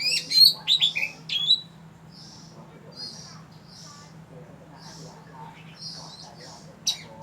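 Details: In Phatthalung, southern Thailand, at Ban Wat Phra Koet, Falami subdistrict, an oriental magpie-robin gives a burst of bright, rapid whistled notes, then fainter, spaced soft chirps over a low constant hum.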